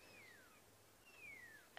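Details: On a sunset safari drive on July 24, 2016, a drongo mimics a pearl-spotted owlet with two clear, falling whistles, each about half a second long and separated by a short pause. Faint background hiss.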